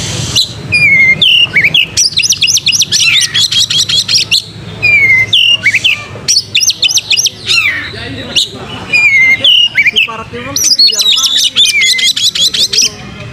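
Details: Prolific kacer, the Oriental magpie-robin, singing to lure tail-spreading: repeated phrases open with a clear descending whistle followed by rapid high chattering trills, several cycles with brief pauses between them.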